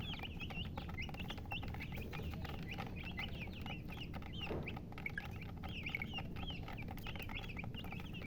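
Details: Young chicken chicks call together. Quick high cheeps rise and fall in loose clusters throughout, against a dense low hum and scattered tapping sounds.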